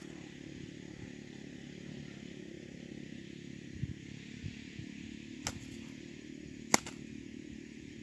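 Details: Steady low engine-like hum fills the background, broken only by a few sharp clicks and knocks, with no animal voice heard.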